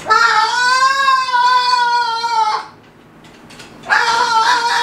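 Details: Spike, a male Moluccan cockatoo playing atop his cage, gives a long, loud, harmonic squawk lasting over two seconds, a brief pause, then starts another drawn-out call in a small room.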